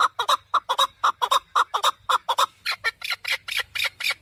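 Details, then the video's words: Rapid, rhythmic chuck-chuck calls from a male partridge, a recording meant for hunting. Paired harsh notes come roughly twice a second, and the later notes turn higher and thinner. "Овози кабки шикори Keklik avi Partridge صوت ذكر الحجل للصيد اواز کبک"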